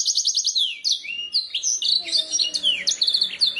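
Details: Canary song from a tutoring recording meant to make birds answer and sing: a fast rattling trill opens, followed by a lively run of sweeping, slurred high notes without pause.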